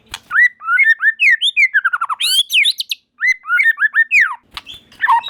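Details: White-rumped shamas in song as more join in; continuous sweet whistled phrases rising and falling, a loud high buzzy burst midway, a brief break, then more varied whistles.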